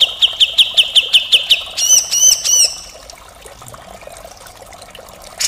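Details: Grey-cheeked bulbul in 'gacor full mbeset kasar' style, a harsh, continuous tutoring song: eight sharp, evenly spaced notes at a steady mid-high pitch, then three louder, buzzy, rising and falling notes, fading into quiet.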